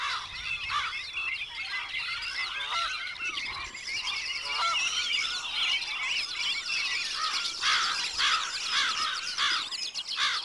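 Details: Mandarin duck calling: short, harsh, honking notes repeated irregularly, roughly twice a second, set against a dense chorus of high-pitched chirps, trills and whistles from many other birds throughout.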